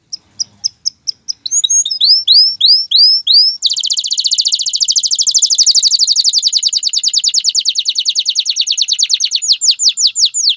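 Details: Male canary singing to get a female ready to mate and start her nest, opening with spaced chips and quick sweeping notes, then launching into a long loud rapid trill that slowly slows toward separate repeated notes.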